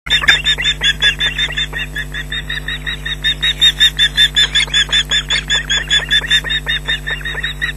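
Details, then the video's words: Osprey at a nest at Loch Garten, Scotland, 19 June 2012, early afternoon, shrieking and mantling at a nearby intruder, a chick joining in: rapid harsh shrieks, about two or three per second, loud and steady, over a constant low hum. "intruder about"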